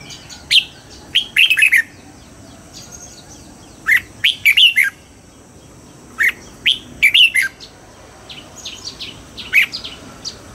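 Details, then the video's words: Dawn song training of a caged red-whiskered bulbul in the wild-style double-note song: four short, punchy phrases of rapid whistled notes, repeated about every two to three seconds, with quieter chirps between. "Luyện giọng cho chào mào hót sáng, ép chào mào hót âm kép già rừng hay tuyệt!"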